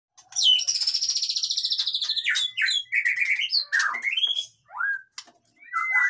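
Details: White-rumped shama (murai batu) in busy, noisy song, played to rouse lazy birds: a long, trilled, falling whistle, then short slurred whistles and sharp notes with brief pauses.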